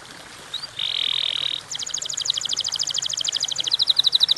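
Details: Canary singing, a short recording meant to lure other canaries into song: a brief flat buzzy note, then a long fast roll of bright, high clicking pulses that grows louder toward the end.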